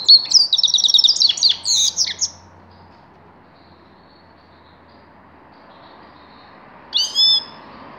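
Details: Rapid high goldfinch twitter from a grey-crowned goldfinch for about two seconds, trilled and jingling, then silence, then one short nasal call near the end.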